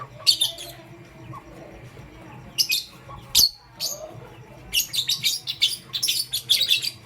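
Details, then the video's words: Morning chirping of pet lovebirds, pastel gray and green birds: a burst of shrill high chirps, a lull, one sharp note, then a rapid run of piercing chirps repeated closely to the end. "Pastel Gray LoveBird Chirping Sound"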